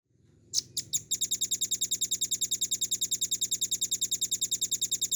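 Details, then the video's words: Velvet-fronted nuthatch (rambatan paruh merah), a kept songbird, in a recording used to train other cage birds: a few sharp high notes, then a fast, steady trill of dry, high-pitched notes, roughly seven per second, continuing without a break. "RAMBATAN PARUH MERAH GACOR FULL NGEBREN NEMBAK PANJANG"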